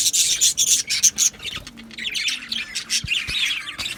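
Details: Australian budgies kept as an aviary colony, 12 July 2025, giving rapid clipped chirps that give way to a softer, continuous buzzy warble, with two faint knocks near the end.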